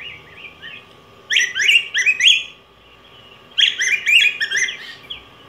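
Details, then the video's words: Two rapid, rich whistled warbles from a yellow grosbeak (Pheucticus chrysopeplus), each a tumbling run of rising and falling slurred notes lasting about a second and a half, with a short pause between; steady faint hum throughout. "Canto Del Pico Grueso Amarillo"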